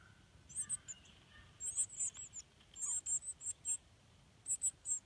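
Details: Cardinal nestlings begging as they are fed at the nest: sharp, very high squeaks in short runs of two or three, separated by brief pauses, over a soft low rumble.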